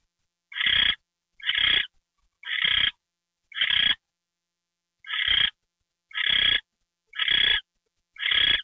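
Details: Owl receiving a mouse treat at night in late January. Eight loud, grating hiss-screeches repeat at about one per second, each short and noisy, with a slightly longer gap midway and no background sounds.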